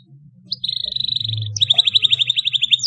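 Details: Young canary practising song against a recorded lure: two short bursts of very fast, high rattling trill, the second louder and longer, over a faint low hum.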